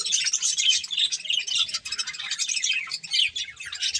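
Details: Budgerigars feeding on corn produce steady, dense twittering and raspy chirps with a wavering, warbled texture and little pause.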